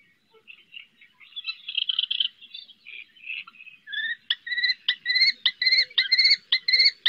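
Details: Female common kestrel reclaiming her fledgling from a roof at Riet Vell, Ebro Delta; soft, muddled chatter first, then clear, shrill, whining notes repeated about twice a second, growing regular.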